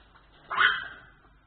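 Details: African grey parrot during breeding behaviour: one loud, harsh squawk that bursts in suddenly, lasts about half a second and fades quickly, with a quiet background.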